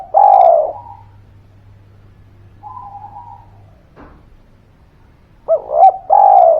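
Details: Spotted dove calling constantly, used as a lure to make quiet birds sing; a loud, mellow cooing phrase opens and another closes the stretch, with faint level tones and a low steady hum in the quiet gap between.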